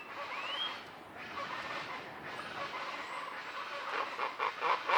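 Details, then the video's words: Common chachalacas, loud and social, in jungle trees in the Sierra Madre mountains along Banderas Bay, Mexico, in the morning, give a harsh, raucous chorus of rough, rapid calls that grows louder toward the end, with thin high whistles of other birds. "Common Chachalaca (Loudest Bird on the Mountain?)"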